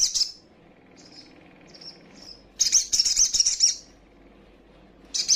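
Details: High-pitched female little spiderhunter calling meant to provoke rivals: a sharp chirp, several faint soft high notes, then a fast, high, buzzy trill lasting over a second, and a final sharp note at the end.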